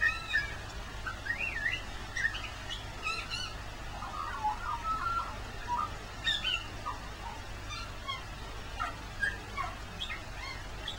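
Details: Magpie singing its heart out in Christmas Day rain, pouring out long strings of fluty, gurgling warbles and quick chirps with little pause, rain noise beneath.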